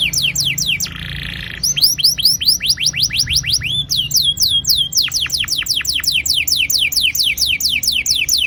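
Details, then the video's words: Long rolling canary song for stimulating young canaries: rapid repeated downward whistles broken by a short buzzy trill, then more fast sweeping notes rolling on steadily. "Pancingan kenari gacor NGEROL PANJANG AMPUH cocok bikin BURUNG KENARI PAUD GACOR LANGSUNG"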